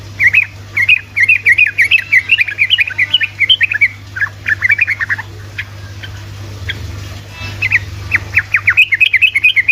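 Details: Sooty-headed bulbul in energetic ropel song, used to make lazy bulbuls respond: long streams of rapid, bouncy chirped notes, a brief lull midway, then the fast chattering resumes, with a low hum underneath.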